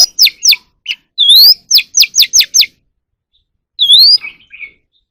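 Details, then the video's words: Captive Oriental magpie-robin singing during voice training: a run of clear, high, downslurred whistled notes repeated quickly, a rising whistle in the middle, and then a short pause before a final upslurred whistle with soft trailing chirps. "kacer alam | choè than luyện giọng || Choè than kích bổi ra giọng เสียงนกกางเขนบ้าน"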